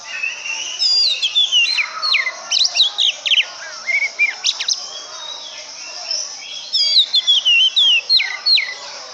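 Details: Oriental magpie-robin in full song: rapid, varied whistled notes that swoop up and down, mixed with sharp chips and short trills. A similar opening phrase returns near the end, over a steady background hiss.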